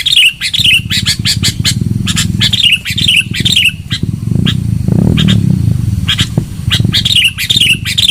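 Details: Loud sooty-headed bulbul lure sound: repeated bright chirps, each sliding downward, in quick bursts, with a steady low rumbling noise underneath throughout.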